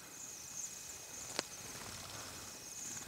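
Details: Bohemian waxwings feeding, their faint high ringing trills running steadily through the background, broken by one sharp click.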